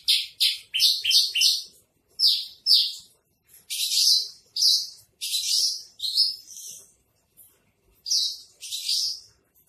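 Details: Javan bush lark in trotol-style master song, bird offered for sale at Tambun: irregular bursts of harsh, buzzy chirps and rasping notes, some clustered fast, others separated by short gaps.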